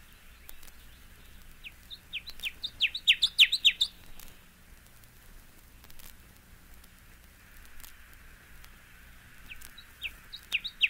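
Connecticut Warbler song: a loud, rapid burst of ringing high notes lasting about two seconds, with a second phrase beginning near the end. A faint low hum underneath.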